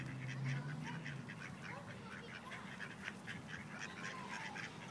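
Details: Ducks in Wilmington, North Carolina, where a group of rejected males try to forcibly mate a single female; rapid, raspy quacks repeat about twice a second over a steady low rumble of wind or handling noise.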